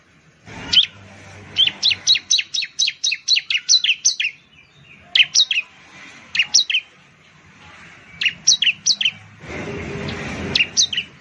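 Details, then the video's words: Loud Indonesian bar-winged prinia song: long runs of rapid, evenly spaced high chirping notes, paused and repeated several times, with a brief burst of broadband noise near the end. "suara burung ciblek/ciblek sound"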